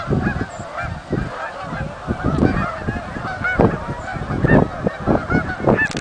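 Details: Canada geese coming in over the marsh, a dense chatter of honks from many birds with rapid irregular pulses and a low rumble, a couple of higher calls standing out.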